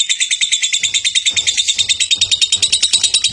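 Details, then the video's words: Competing lovebird in long ngekek song at a national contest, harsh shrill chattering pulses about three per second, evenly spaced, with faint low thumping beneath in the second half. "LOVE BIRD NGEKEK PANJANG"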